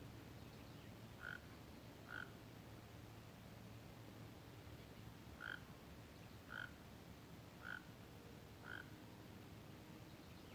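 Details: White-rumped monjita perched on a dry branch gives six short, soft mid-pitched notes, spaced irregularly one to three seconds apart, over a low steady background rumble.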